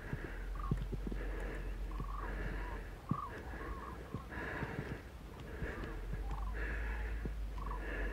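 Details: Common cranes in a flock flying north on the afternoon of 21 February over Arroyo Culebro, Parque Natural del Sureste, near Pinto and Getafe, the last flock of the afternoon: repeated rolling trumpeting calls from several birds over steady low wind rumble.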